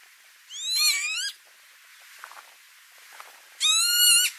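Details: Northern lapwing in Dutch tulip fields at Noordwijkerhout, May 2018, uttering two strained, buzzy calls a few seconds apart, each sliding upward then leveling, with faint soft background noises between.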